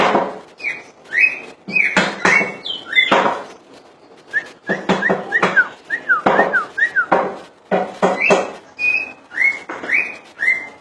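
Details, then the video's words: Common iora singing many clear whistled notes, some sliding upward and some falling, against frequent sharp knocking and clicking sounds. "burung cak ijo full dor"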